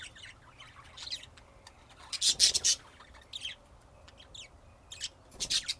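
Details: Budgerigars giving scratchy, raspy bursts mixed with chirps, with a loud run of harsh notes in the middle and again near the end.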